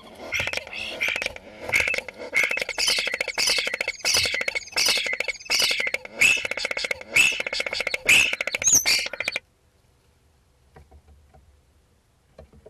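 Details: A common starling sings a mimicking song, a dense jumble of clicks, rattles and high slurred whistles that stops abruptly; its imitations reportedly include crowing, bleating and buzzard-like sounds.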